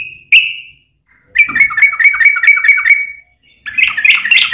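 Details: Sooty-headed bulbul song intended to provoke other bulbuls: a single whistled note, a pause, then a steady rapid bubbling trill for two seconds, followed by a harsher chattering burst.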